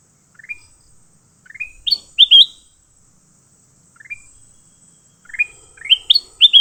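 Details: Fighting leafbird, newly caught, utters soft rising chirps followed by louder, sharply upslurred whistles in groups of two or three, with the phrase repeated twice over a quiet background.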